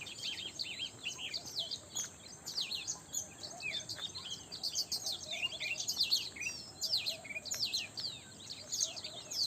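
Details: Early morning chorus of birds, with numerous high-pitched chirps, rapid twitters and short sweeping whistles layered over one another without pause, against soft constant background noise.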